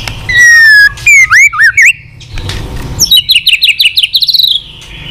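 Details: White-rumped shama with repeated tạch song for stimulating weak-spirited shamas: a level whistle, looping liquid notes, then a rapid string of short ticking whistles rising slightly in pitch.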